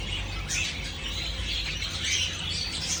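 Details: Java sparrows kept as pets: a steady stream of short high chirps and twittering notes from several birds, with a constant low background hum.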